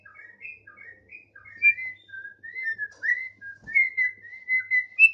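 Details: Continuous whistled warbling from a tame Thick-billed heleia: rapid clusters of sweet slurred notes, some rising, some dipping, delivered in busy bursts without pause, over a quiet background.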